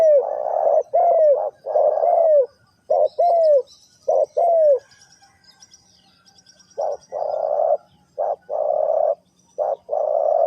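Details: Spotted dove, Ninh Thuận, in the three-coo hanging style with two-coo calls: hoarse coo notes, some sliding down in pitch, in several bursts, a quiet gap midway, then more coo phrases. Faint higher chirps in the background.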